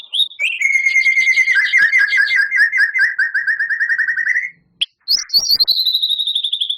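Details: Champion White-rumped shama shooting off a long, rapid trill of repeated slurred notes for over four seconds, a short break, then a high ringing series of quick whistles.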